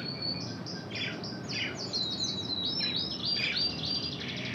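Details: Intense red canary trained in Spanish Timbrado song, giving a series of quick falling whistled notes, then a bright high trill and rolling phrases, with faint background hiss.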